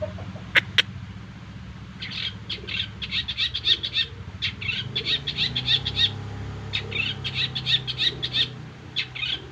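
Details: Long-tailed shrike song given as rapid bursts of clipped, high chattering notes. They run in dense clusters with short pauses between them, over constant low background noise and a couple of sharp clicks near the start.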